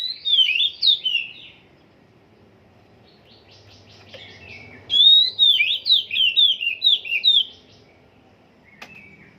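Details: Oriental magpie-robin still in song training: a few short whistled notes, then a pause with faint low hum, then a long burst of bright, sweeping, descending whistles repeated quickly.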